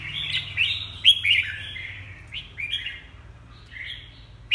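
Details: Red-whiskered bulbul producing a quick cluster of warbled whistles, loud at first and then softer, with short falling slurs and a sudden sharp note at the end.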